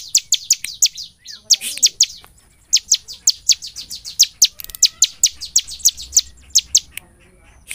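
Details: Bar-winged prinia's gacor nembak song, played as a lure to prompt ciblek to sing by day and night: a long, fast run of piercing high staccato notes, briefly pausing, then resuming at a steady quick pace.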